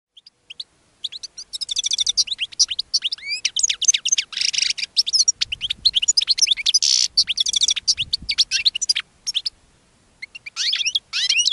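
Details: Caged European goldfinch singing, later joined by a linnet: a fast, tinkling twitter of high chirps and trills after a few scattered opening notes, with brief pauses near the end before the twittering resumes.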